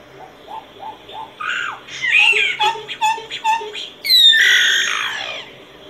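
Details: Solitary cacique (boyero negro pico blanco) song: soft rising hooted notes, then loud slurred whistles and clipped paired notes, ending in a long harsh, strained descending phrase.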